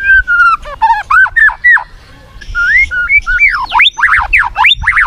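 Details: White-rumped shama song in a lure recording: steady and wavering whistles, a short pause, then loud swooping notes rising and falling in quick succession.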